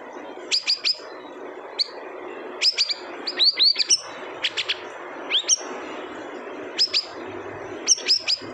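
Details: Siri-siri bird calling in short bursts of sharp, high upslurred chirps, often in quick pairs or triplets, with pauses of about a second between bursts over a faint steady background hiss.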